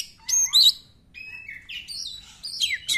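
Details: Oriental magpie-robin singing as a lure to get quiet magpie-robins singing: clear whistled phrases, some rising and some falling, separated by short pauses, over a quiet background.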